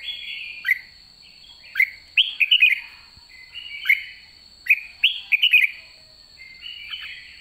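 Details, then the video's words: End-of-season red-whiskered bulbul, white-cheeked form, in 'ché' song: a run of bright whistled phrases, each opening with a rising slur and breaking into rapid warbling notes, repeated every second or so over a faint constant hum. "Chào mào má trắng cuối vụ đã ché, นกกรงหัวจุก"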